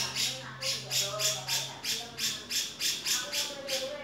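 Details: A male grey-cheeked bulbul delivers a steady, rhythmic series of scratchy, buzzy notes, about three a second and evenly spaced, with soft low whistles and a faint hum underneath.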